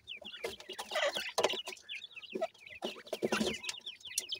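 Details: Bhoray teetar chicks chirping: bright, descending peeps repeated in fast bursts by a group of babies, mixed with thumps and scuffling noises.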